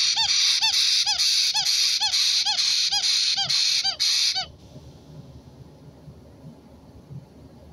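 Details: White-bellied caique, a parrot, recorded on 4 April 2022, giving a rapid series of harsh, nasal, upslurred squawks about twice per second for four seconds, then quiet background.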